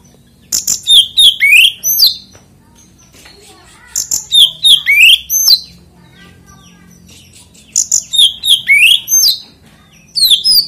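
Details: Oriental magpie-robin song meant to provoke other magpie-robins into singing: three bursts of about two seconds each, made of sharp high chirps and rising slurred whistles, separated by quiet gaps of roughly two to four seconds.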